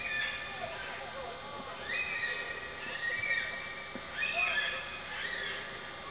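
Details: Wild yellow-tailed black cockatoos in the Blue Mountains National Park near Glenbrook, NSW, feeding, give drawn-out, wavering wailing calls, several overlapping, repeated about every second or so over a steady background hiss.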